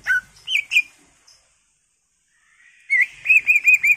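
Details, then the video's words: Greater green leafbird with a full varied song, played as a lure to make other birds sing: a few clear whistled notes, nearly two seconds of silence, then a looping rolling whistle repeated four times. "PANCINGAN CUCAK IJO GACOR FULL ISIAN/ CUCAK IJO Gacor"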